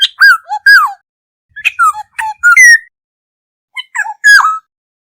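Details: Lure recording of a Black-hooded oriole calling to gather a flock: bursts of harsh, nasal, falling notes interleaved with brief clear whistles, three groups in quick succession with short silent gaps.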